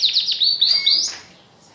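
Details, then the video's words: Short burst from a domestic canary in training: a few quick high chirped notes running into a brief bright trill, then the bird falls silent. "COMO TREINAR O SEU CANÁRIO!!! ELE VAI CANTAR LINDO EM POUCOS DIAS!!!"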